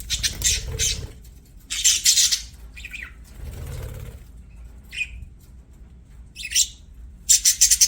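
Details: Budgerigars singing while playing: harsh, buzzy bursts of chatter and short squawks, broken by brief pauses, with soft low rustling in between.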